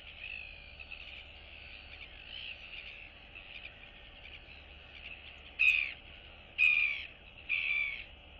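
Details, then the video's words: Royal albatross chicks greet and interact with one another in their colony on 9 September 2022, giving three harsh, squawking calls about a second apart near the end, over a steady hiss of wind. "Royal Albatross ~ Cute Chick Chat & Interacting Among Neighbors!"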